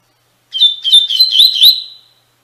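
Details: Captive-training song of the coleiro, Tui Tui Fibra style: one rapid phrase of bright whistled notes running together and ending in a drawn-out steady whistle, lasting about one and a half seconds on a silent background.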